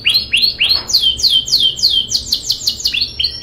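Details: Rolling canary song used to tutor young canaries: loud, high whistled notes curving downward, delivered in quick repeated runs with slight shifts in pitch between phrases, about three to four notes per second.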